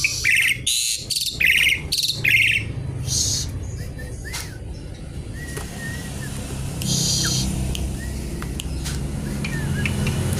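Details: Javan pied starling challenging a rival: a burst of five quick raspy, ringing phrases in the first two seconds, then softer scattered whistles, clicks and sliding notes over a low background hum.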